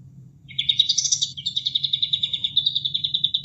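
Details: Sooty-headed bulbul song played for training caged birds, mixed with water sound; a rapid, chattering trill of high notes sliding up then settling into an even pulsing run, over a low rushing background.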